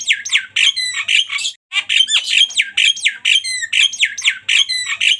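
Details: Javan myna in 'tembakan' song, delivering dense strings of raspy squawks, clicks and high whistles in quick repeated bursts, one short gap near the middle, bird close and dominant.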